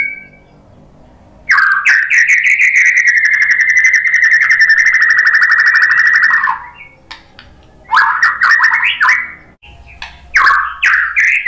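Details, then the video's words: White-rumped shama song played to provoke other birds into singing: after a short whistle, a long rapid rolling trill runs about five seconds, followed by bursts of short rising, whistled phrases separated by brief pauses. "KICAUAN MURAI BATU bikin NYAUT jadi GACOR NGEPLONG BONGKAR MATERI ISIAN ¦ PANCINGAN MURAI"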